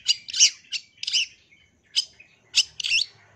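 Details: Long-tailed shrike giving loud grating, buzzy bursts in uneven groups, with broad scratchy notes separated by brief pauses.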